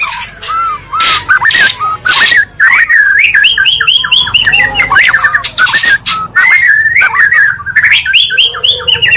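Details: Oriental magpie-robin song mixed from two birds to rouse other magpie-robins: loud, varied whistles and harsh squawking notes in fast overlapping phrases, with sharp broadband bursts throughout and a faint low hum.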